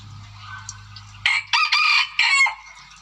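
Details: Chicken used as a lure bird, giving its lure call. After a low hum, three loud, harsh, broad crowing bursts each last about a quarter second, close together.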